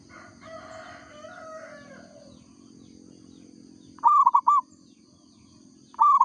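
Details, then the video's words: Local zebra dove (perkutut) singing actively: after a fainter drawn-out call from another bird in the first seconds, two loud bright cooing phrases, each a quick run of about four rolling notes, about two seconds apart, over a low steady hum. "perkutut lokal gacor suara asli"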